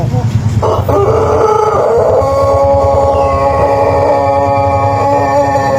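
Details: Pelung chicken, a native ornamental breed from Cianjur, West Java, Indonesia, giving a sustained, steady, harmonic crow lasting about five seconds. A strong low rumbling, pulsing noise runs underneath the whole time.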